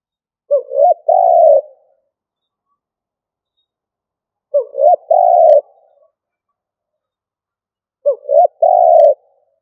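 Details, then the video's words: Decoy spotted dove cooing in the stuttering cà lăm style: three phrases, each a short hooked note then a longer, rougher low coo, spaced roughly every 3.8 seconds against silence. "Cu gáy mồi gù cà lăm"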